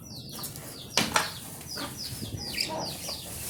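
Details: Budgerigars calling: quick, high chirps sliding downward, given in a fast, overlapping series, with a couple of sharp knocks or wing flutters near the start and a steady low background rumble.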